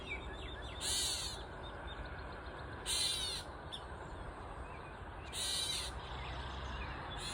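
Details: A Gray Catbird perched on a mulberry tree gives three harsh, raspy mewing calls about every two and a half seconds, over a low steady background rumble.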